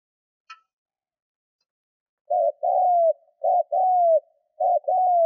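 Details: Lure spotted dove cooing to provoke wild doves. After a faint tick and a moment of quiet, three paired phrases follow, each a brief note and then a falling drawn-out coo.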